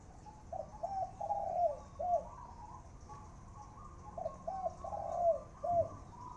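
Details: Decoy spotted dove singing the khan yon coo. Two matching phrases of soft, hollow coos, each a few quick notes, then a longer drawn-out coo and a short final one. The phrases are spaced about three seconds apart over a quiet background.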